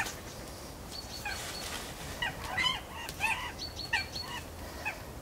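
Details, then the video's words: Northern goshawk pair waiting to mate, giving short harsh harmonic calls scattered through the clip alongside high thin chirps from small birds and a steady background hiss. "Goshawk pair, Hønsehauk par"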